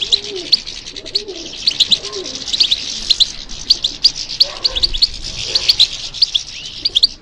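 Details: European goldfinch song in response to stimulation: sustained high-pitched liquid twittering with quick repeated chirps, continuous throughout, with faint low background noise.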